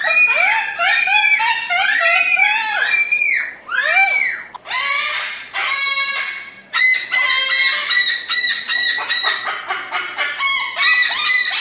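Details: Loud, raucous screeching from a crested cockatoo: arched, wavering shrieks in quick succession, then a stuttering chain of shorter harsh squawks.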